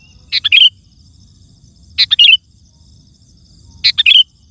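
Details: Sooty-headed bulbul singing loudly, a recording for luring wild birds and stirring other bulbuls into song: three chirpy, gurgling whistle phrases spaced almost two seconds apart against a quiet low hum.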